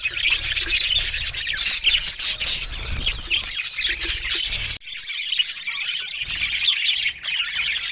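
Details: Budgerigars, Australian parrots, in steady warbling chatter of quick chirps and harsh squawky notes, a brief cut near the middle, then the chattering resumes.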